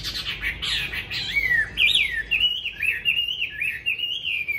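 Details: Tame caged Chinese hwamei kept for fighting in Hanoi, Vietnam, delivers a rich, loud song of slurred rising and falling whistles and rapid warbles, flowing continuously with no other sounds.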